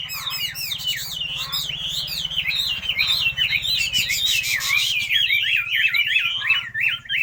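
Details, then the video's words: Chinese hwamei delivering rapid, wavering whistled notes in a continuous, bouncing sequence, loud and melodious throughout, over a faint steady hum. "Hào mi hót nhất mường nhé"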